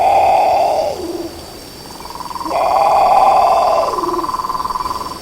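A Great Potoo gives two harsh, raspy, growling roars, each held level and then dropping into a low gruff end; the second is longer.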